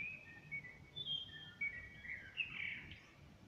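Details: Outside a window, a common blackbird sings on a smartphone recording: a string of clear, flute-like whistles and twittering notes that rise and fall, ending in a brighter flourish, with a faint low drone behind.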